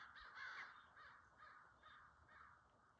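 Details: Crows arriving for a morning gathering near a deer family feeding, giving harsh, broad caws, about five spaced notes over three seconds, the loudest early on, over faint background hiss.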